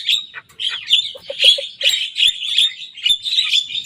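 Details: Young Javan myna singing and imitating the songs of rivals: continuous harsh, buzzy, scratchy phrases in bursts, mixed with a few short low clucking notes.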